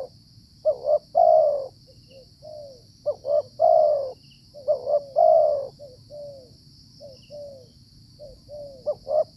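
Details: Cooing Spotted Dove (tekukur) recorded during decoy trapping in the rainy season. Repeated low phrases of two or three short notes end in a longer falling coo, with soft separate notes between them. A constant high hum is audible.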